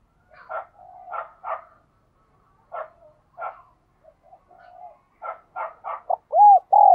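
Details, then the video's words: Spotted dove in the resonant giọng đồng kim voice style. A series of short, rough, clipped calls builds up to two loud, low, arching coos at the close. "cu gáy giọng đồng kim"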